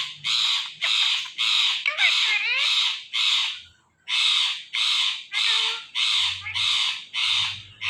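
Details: Rose-ringed parakeet, a talking ringneck parrot, screeching a long series of harsh, evenly repeated squawks, broken once by a brief pause.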